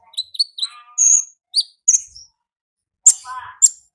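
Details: Olive-backed sunbird in the wild, singing in the ngalas style: very high thin chirps and sweeping notes in short bursts. A lower, buzzy, rippling phrase also sounds twice.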